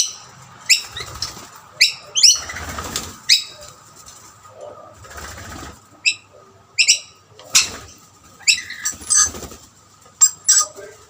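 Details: Rainbow lorikeets competing for food at two snack plates, a dominant male chasing other birds away; short, sharp, high chirps and screechy squawks burst out irregularly, about a dozen in eleven seconds, with some wing flaps between them.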